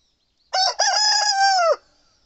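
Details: Seven-month-old Satsuma chicken rooster crowing lustily in the morning: one loud harmonic crow with a short opening note, a brief break, then a long, steady, ringing tone that drops at the end, in a quiet setting.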